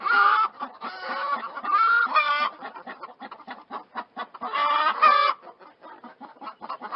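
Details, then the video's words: Chickens give clusters of loud, wavering squawks at the start and again around five seconds, with a steady patter of short clucks filling the gaps. "chickens clucking sounds of chicken"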